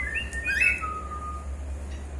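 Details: Bird gives a few quick whistled notes, then one long, steady whistle that fades out, over a low droning hum.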